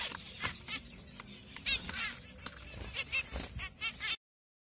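Zebra finches give short, nasal, trumpet-like beeps among sharp clicks and fluttering.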